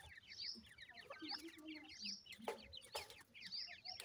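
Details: Grey francolin chicks kept at home: a dense chorus of short, high, slurred peeps, many overlapping, with a few sharp taps and knocks in the background.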